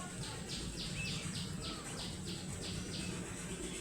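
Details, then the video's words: Baby ducklings in a brood, playing and waddling, give a series of short, high chirping peeps about every half second over low, steady background rumble, with a few soft squeaky notes. "ADORABLE Baby Ducklings Make The Funniest Sounds!I ugly duckling l duckling sounds l baby duck"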